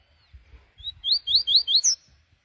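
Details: On a morning outing, a kept double-collared seedeater sings a quick phrase of about five bright, slurred whistles, each swooping up and down and ending on a higher note, over faint low rumbling.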